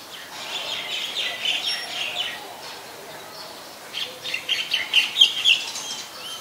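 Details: White-vented myna, Ubon Ratchathani, Thailand, 17 July 2020. Two bouts of fast, scratchy chattering, with a rapid string of rough notes, a pause, then a louder, more emphatic burst.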